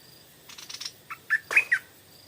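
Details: Stripe-throated bulbul singing in the evening, drawn in by a decoy bird: a short burst of scratchy notes, then four clear, warbling, slurred notes in quick succession.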